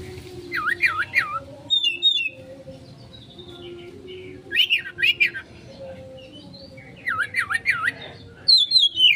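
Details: Kacer (Oriental magpie-robin) konslet lure song: repeated clusters of fast looping whistled notes dipping and rising, each cluster under a second, spaced by quieter gaps with a soft low drone.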